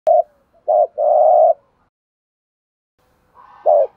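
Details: Spotted dove singing in a thổ sấm (thunder-like) voice style, with several song variations: short low coo, a doubled note, then a long sustained coo, pausing and resuming.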